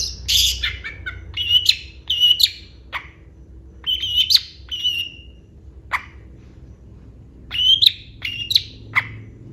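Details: Long-tailed shrike singing a varied, mimicry-filled song said to provoke other shrikes: scattered harsh rasps and short bright whistled notes in small clusters separated by brief pauses.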